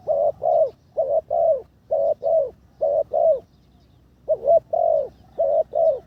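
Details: Spotted dove being trained as a decoy, third session, behaviour greatly improved. Rhythmic paired coos, low and mellow, about one per second, with a short pause before a final burst of phrases.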